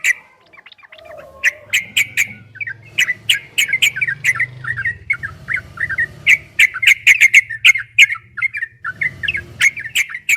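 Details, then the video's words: Yellow-vented bulbul (trucukan) in rapid 'ropel' style, a long fast master song for training: bubbly, chattering notes with sharp clicks, repeated in quick bursts after a brief low whistle, with a faint low hum beneath. "Suara burung trucukan MASTERAN TRUCUK ROPEL 2023 TERBARU ‼️PASTI GACOR, TRUCUKAN ROPEL PANJANG"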